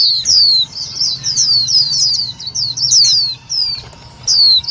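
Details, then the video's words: White-eye calls for trapping lure and stirring rivals: quick tumbling series of high, sharp downward-sliding tweets, thinning out toward the end into a few spaced single notes. "Tiếng chim vành khuyên mồi cực nhạy"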